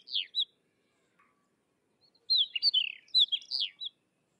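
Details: Sykes's lark producing short high slurred notes, then a busy twittering phrase of quick chirps and downward whistles; a clean, quiet background.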